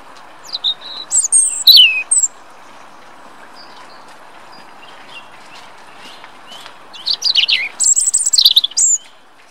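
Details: European robin singing in Rombergpark, Dortmund, Germany, on 27 March 2013: two bursts of high, thin, wavering warbles and trills with tumbling pitch, separated by a pause of several seconds; faint background hum.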